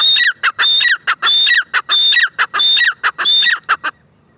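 A partridge gives loud, ringing calls of harsh notes and high whistled tones, repeated quickly, about seven phrases in four seconds, with nothing else heard.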